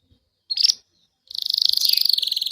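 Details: Gray Belgian canary singing: a brief sharp note, a pause, then a loud rapid pulsed trill held steady, used to encourage a caged canary to start singing.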